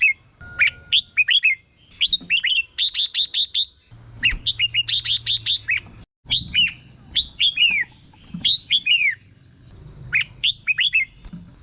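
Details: Red-whiskered bulbul song for rousing caged birds, repeated phrases of downslurred whistles and fast chirp runs with short gaps, a brief dropout midway, steady high-pitched tone and faint hum underneath.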